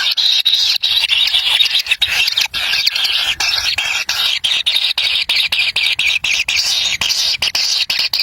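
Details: Wild kingfisher nestlings in Indonesia jostle for a black lizard their parent delivers; sustained high, rasping squeals run almost without pause, chopped by short, irregular breaks.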